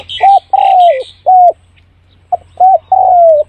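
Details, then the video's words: Decoy spotted dove cooing to attract birds quickly: smooth, low coos, some long and sliding downward, others short, with high chirping from another bird overlapping the start. "เสียงนกเขาใหญ่ ต่อเข้าเร็ว"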